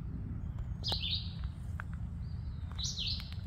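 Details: Red-eyed vireo sings two short, slurred, whistled phrases about two seconds apart over a steady low rumble; recorded May 20, 2024 at Sheldon's Marsh, Huron, Ohio.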